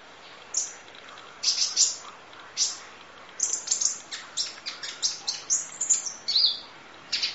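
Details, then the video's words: Kolibri Ninja sunbird in a long masteran training recording, full-fill 'nembak' style: bursts of very high, thin chirps and sharp trills, with short pauses between runs, over faint steady hiss. "Audio Master Masteran Kolibri Ninja Full Isian Nembak Durasi Panjang Kicau Burung"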